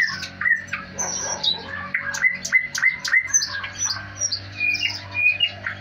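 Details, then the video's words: Indoors at home, a thrush nightingale delivers rapid varied phrases: a run of repeated clear whistled notes, high pure tones and brief chattering chirps, over a steady low room hum. "Пение соловья дома"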